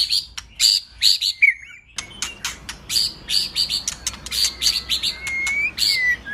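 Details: White-rumped shama song meant to provoke a male into singing: sharp clicking and rasping notes mixed with high whistles and a few long, gently rising whistled slurs.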